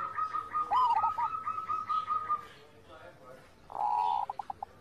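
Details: Zebra dove song used as master audio to train caged doves to sing: a long, steady pulsed trill of rapid beats, a few rolling cooing notes, a quiet gap, then a buzzy burst ending in short clipped notes.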